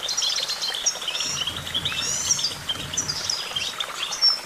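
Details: Goldfinch song of rapid chirps mixed with thin whistled notes and short trills, lively and unbroken, over a faint low background hum.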